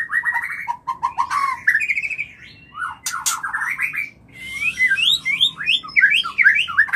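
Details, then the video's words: White-rumped shama mating call played to bring on breeding: varied whistled phrases, fast trilled series, rising slurs and rapid chattering notes, continuous and energetic. "Semua Murai PASTI BIRAHI PASTI KAWIN Hitungan Detik - Murai Kawin"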